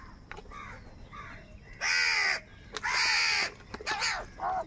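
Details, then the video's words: Crows fighting for food give loud, harsh, broadband caws, each drawn out for about half a second to nearly a second. Three bursts come in irregular succession, with fainter caws and chatter from other birds in the background. "Different kauwa ki awaz | Kaka sound and Noises of Crow birds | crow bird live crowing sounds"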